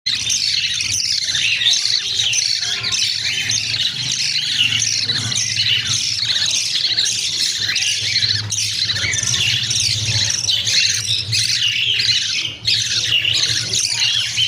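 Budgerigar chicks give a constant chorus of shrill, raspy begging squawks.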